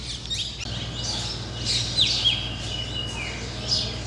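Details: A pair of Black Drongos on white Rajasthan temple spires, using them as perches to hunt insects on the wing; rapid, high chirps and short whistled notes repeat at an uneven pace, a few louder strokes standing out over faint background hum.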